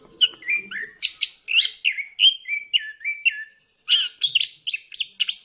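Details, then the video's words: Orange-headed thrush song played to stimulate other birds to sing: a rapid run of varied whistled phrases with slurred notes and buzzy high bursts, clean and continuous apart from one short pause. "pancingan ampuh! punglor kembang | merangsang burung cepat gacor"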